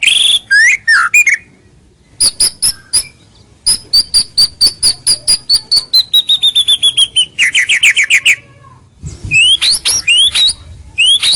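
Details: White-rumped shama lure song meant to bring rivals near: sharp upswept whistles, a long series of dry rapid ticking notes sliding gradually lower into a buzzy trill, then more looping high whistled phrases after a brief gap.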